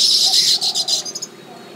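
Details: Baya weaver near its hanging nest in the tropics, giving a high, buzzy, sizzling chatter that breaks into short pulses and fades into a few thin chirps.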